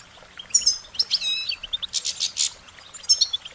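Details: Singing goldfinch delivering a fast, bright warbling twitter of high notes, with a dense buzzy burst in the middle and quick chirps resuming at the end.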